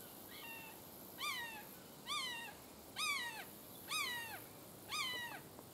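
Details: A juvenile red-shouldered hawk calling at a Florida wetland rookery swamp, the call helping separate it from a Cooper's hawk: five clear, downslurred kee-ah screams spaced roughly a second apart against constant hiss.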